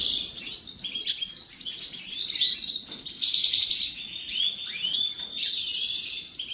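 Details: Morning bath of European goldfinches: a steady stream of high, liquid twittering and chirping in loose phrases, a few rising and falling slurred notes, little background noise.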